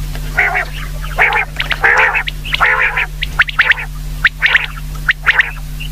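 A common quail gives rough, nasal bursts about once a second, then quicker, sharper clipped notes, over a steady low electrical hum.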